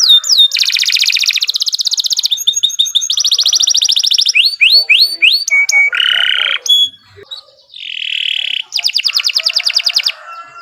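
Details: Canary song used as a long, lively training recording to get other birds singing: a fast, varied sequence of high rolling trills, rapid repeated chirps, sweeping whistled notes and buzzy phrases, changing pattern every second or two.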